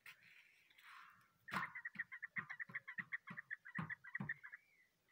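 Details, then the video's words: Young chukar partridge giving a run of about fifteen quick, sharp clucking notes, fairly evenly spaced and building in the middle, after a soft hissy start, with low thumping handling noise underneath. "keklik sesi chakor birds voice"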